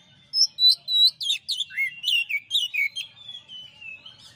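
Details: ['Champion Oriental magpie-robin in a master song recording: a fast run of loud, varied whistled notes, bright rising and falling slurs and short chirps, about three per second, fading into a softer warbling trill at the end.']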